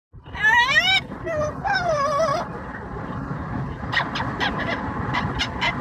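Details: Pet yellow-naped amazon parrot singing opera during a commute: two loud, wavering, vibrato-like harmonic notes, then a run of short repeated calls over a steady rumble of car noise.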